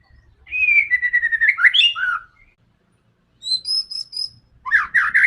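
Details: White-rumped shama singing fiercely to goad other birds into fighting: a sliding whistled phrase breaking into choppy notes, then high thin whistles and a loud rapid burst.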